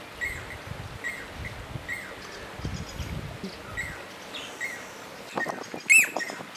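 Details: Southern masked weaver (Ploceus velatus), male building a nest at Mopani Rest Camp, Kruger National Park, November 2010, where flocks nest together: thin, high chirps in loose series, ending in a sharper burst of buzzy chatter, over low rumbling wind.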